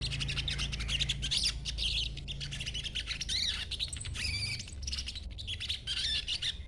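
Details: Young sogon in green juvenile plumage chattering, used as a lure to make other sogon answer; dense, rapid high chirps and buzzy notes pour out almost without pause, with a low steady hum beneath.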